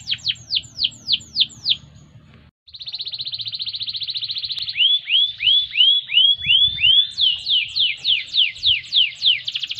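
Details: Canary singing, used for training: six sharp downward-sweeping whistles, a short gap, a steady rapid buzzing trill, then looping curved notes and a final series of quick descending chips.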